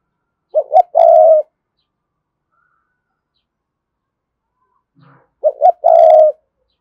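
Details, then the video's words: Spotted dove of the Cườm Sa type calling to lure wild doves. Two matching phrases, each two short low notes and a longer, rough, buzzy coo, are split by several seconds of quiet. "Chim cu gáy Cườm Sa thúc gù gáy gọi đủ bài. chim cu gáy kích bổi nhanh nổi"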